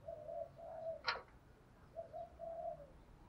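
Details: Spotted dove singing the 'thổ pha đồng' style for training decoy birds: soft, distant low coos in two phrases against a hissy background, broken by one sharp click.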